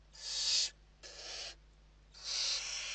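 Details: Western barn owls at an indoor nest in Spain, evening feeding on 29 November 2023: harsh broadband hissing screeches, three long bursts with pauses between, steady faint hum underneath.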